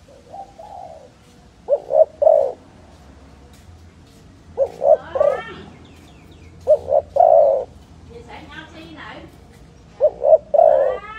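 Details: Dove calling with repeated low cooing phrases, each two or three quick hoots leading into a longer coo, spaced a few seconds apart, with brief higher chirping from other birds between phrases.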